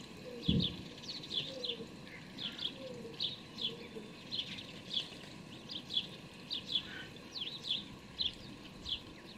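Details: House sparrow (Passer domesticus) fledglings begging as parents feed them, 12 May 2019: sharp, high chirps repeated about twice a second, with faint low cooing and a steady hum behind.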